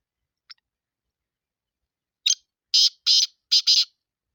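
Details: A faint note, then after a pause the black francolin's grating phrase: a sharp lead note and four rasping, buzzy notes delivered in quick, slightly uneven rhythm, in a quiet setting.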